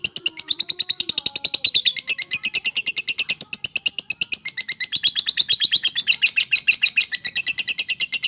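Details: Lovebird of fighter type in long continuous chattering (ngekek panjang), played as therapy to stimulate lovebirds that will not sing: an unbroken, very fast stream of high, shrill, metallic chips lasting over eight seconds.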